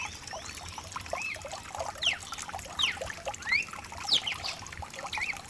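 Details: Rain-accompanied song of a mutation cardinal for warming up a cardinal: quick downslurred and upslurred whistles spaced a second or so apart, partly masked by dense rainfall.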